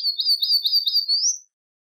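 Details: Rusty-collared seedeater (Sporophila collaris) gives four or five quick, high, repeated whistled notes in a rolling series, ending with a single rising upslurred note.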